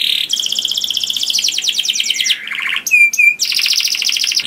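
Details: A canary sings loudly and sweetly to attract other canaries, with dense buzzy rolling trills, a brief lower rattle, two sharp clear whistles, then another fast high trill.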